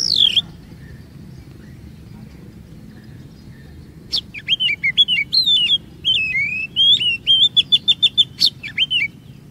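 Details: Oriental magpie-robin song as a lure for other kacer to sing long and show their stored 'isian': one descending whistle, about four quiet seconds, then a fast run of rolling whistles and rhythmic repeated chips.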